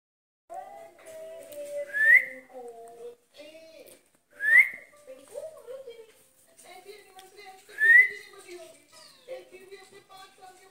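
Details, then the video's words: Pet green rose-ringed parakeet that talks and wants to play: soft murmured speech-like chatter broken by three sharp rising whistles, about every three seconds, indoors. "My talking parrot wants to play"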